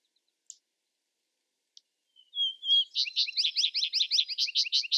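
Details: Vesper sparrow singing, opening after two faint ticks with soft slurred whistles that lead into a rapid, bright trill of rising notes repeated steadily to the end.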